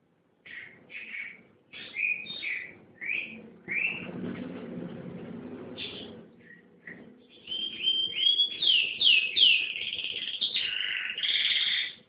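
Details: Canary song opening with scattered short chirps and notes amid a low background murmur, then building into loud, fast, high trilled phrases with sliding whistled notes in the last four seconds.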